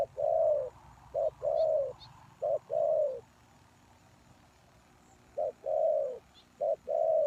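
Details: Spotted dove calling as a lure for wild doves: paired coos, a brief introductory note then a longer, rough, even coo, with a pause mid-sequence and faint small-bird chirps.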